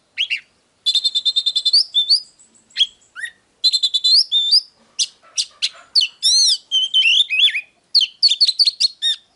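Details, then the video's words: Oriental magpie-robin song opening with fast repeated whistled notes, then scratchy chirps, looping high slurs, and a jumble of rising and falling whistles, in a clean, quiet setting. "Chòe than HÓT - DÉO Kích bổi Ức chế || Kich chòe than VỀ ĐÁ"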